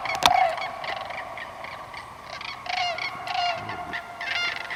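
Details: Sandhill Cranes at Sax-Zim Bog, northern Minnesota, early morning on 25 April 2024, at 25°F: an alert pair calls loudly as another pair flies in, with rolling, trumpeting calls in bursts about every second, overlapping.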